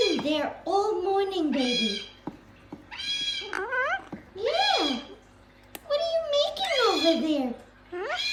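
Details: Gang-gang cockatoo producing talking sounds: six or so loud, raspy harmonic phrases, several sweeping downward, others arching up and down, spaced by brief silences.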